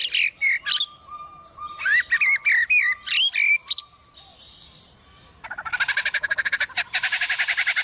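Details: Lyrebird in forest mimicking sounds it hears, chainsaw among them: chattering whistles and warbled phrases over a steady tone, then a harsh buzzy pulsing run repeated rapidly for the last two seconds.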